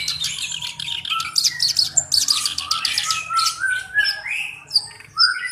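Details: Black-browed reed warbler, kept as a tutor bird for training other songbirds, singing a varied, chattering song of harsh buzzy notes and scratchy trills, with rising whistled slurs and sharp high squeaks mixed in.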